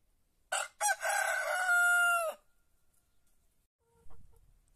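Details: A white rooster crows once at dawn in an Andalusian village surrounded by olive groves. Two clipped notes lead into a harsh, drawn-out phrase that ends in a long, steady tone. Faint knocking follows.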